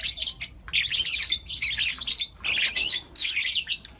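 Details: Young lutino lovebirds, four together, chirping in the morning; dense, high, scratchy chatter in long bursts with one clear pause midway.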